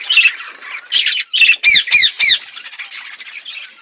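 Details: Budgerigars eating food: bursts of warbled chirps, then a clear series of four or five sharp, downward-curving squawks in quick succession, followed by softer chatter.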